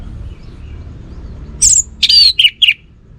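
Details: Short song snatch from a kept orange-headed thrush: after a quiet start, a high thin note followed by three loud warbled notes dropping in pitch, over faint low background noise.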